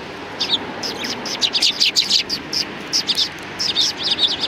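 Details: Sparrows chirping on the main approach path to a Tenmangu shrine on 6 December 2019: a rapid stream of short, sharp high chirps from several birds, bunched in bursts with brief pauses, over a faint background hum.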